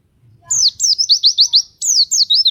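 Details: White-eye (pleci) singing nembak style to lure other white-eyes: two quick runs of high, thin, downslurred notes, about six in the first run, separated by a brief pause.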